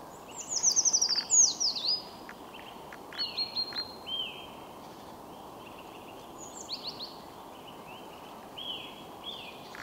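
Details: Eurasian Treecreeper song: high, thin notes tumbling downward in a quick accelerating series near the start, followed by scattered short chirps from more than one bird over a steady low background hiss.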